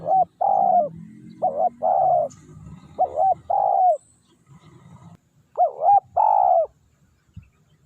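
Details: Spotted dove kept as a lure for wild doves, calling in repeated phrases of a bent rising-falling note followed by a longer burry coo. Low rumbling noise is present early on.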